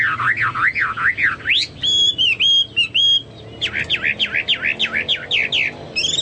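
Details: Actively singing Chinese hwamei, whose song is compared to cucak Papua or cucak mas: rolling, looping whistles, a short passage of clear, level, piping whistles, then another rapid series of rolling slurred notes.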